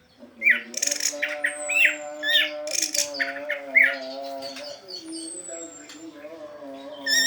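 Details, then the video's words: Orange-headed thrush singing 'teler' style song, meant to lure stalled orange-headed thrushes into song: loud, varied bursts of sharp notes and short whistles, with a thin descending whistle and a constant humming drone behind. "SUARA ASLI ANIS MERAH TELER UNTUK PANCINGAN ANIS MERAH MACET"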